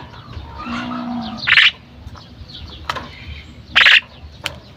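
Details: A female common myna calling, with soft gurgling, bubbling notes followed by two loud, harsh, rasping squawks about two seconds apart over low background noise.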